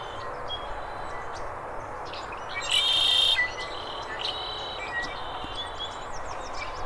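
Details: A red-winged blackbird in the Sonoran desert of Arizona gives one harsh, buzzy trill lasting under a second, with short soft notes before it. Faint chirps from other birds and steady outdoor hiss fill the background.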